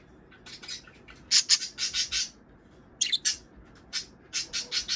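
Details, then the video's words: Budgerigars calling, in a recording played to pet budgies to prompt mating and egg-laying; bright high chirps and squawks come in three clusters of quick bursts with short quiet gaps between them. "صوت بادجي طيور الحب للتزوج"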